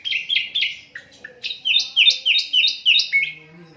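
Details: Asian brown flycatcher singing, unedited recording meant as a master song for cage birds: a series of about ten quick down-slurred chirps, repeated several per second, with a short pause near the start.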